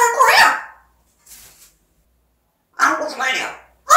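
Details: African grey parrot talking: a loud speech-like syllable, a faint breathy sound, then a longer voice-like phrase with rising and falling tones.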